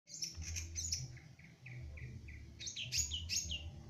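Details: Young long-tailed shrike beginning to sing: a run of varied short chirps and sweeping whistled notes, some rising and some falling, given in quick succession over a steady low hum.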